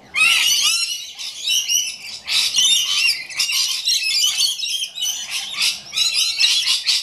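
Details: Several rainbow lorikeets calling together, a dense wall of shrill screeches and rapid chattering notes with barely a pause.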